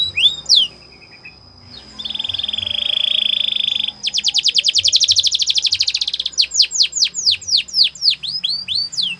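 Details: Singing canary for training: a single swoop, then a two-second smooth buzzy roll, a rapid machine-gun trill, and finally a steady series of sharply descending whistled sweeps.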